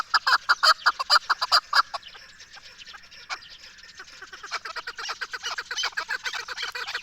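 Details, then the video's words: Chukar partridge, Pakistan's national bird, calling in loud clucking chuck notes for two seconds, then a fainter, busier stretch of overlapping rapid chattering notes that builds again toward the end. "پاکستان کی قومی پرندے چکور کی خوبصورت اواز"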